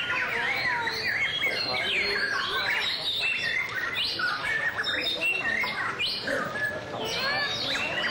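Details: White-rumped shama singing in display, a dense, continuous run of varied whistled and chattering phrases, notes sweeping up and down across a high range with hardly a pause, steady background hiss throughout.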